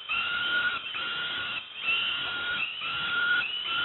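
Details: Young peregrine falcons at Moszna near Pruszków, Poland, call while being given breakfast, a sustained, slightly quieter stream of thin, harsh whining cries.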